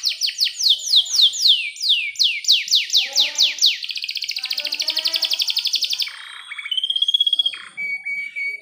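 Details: Canary song used to stimulate other canaries to sing and mate, a long-roll master recording: fast series of descending whistled sweeps, then a rapid buzzy trill held for about two seconds, followed by clear steady whistled notes.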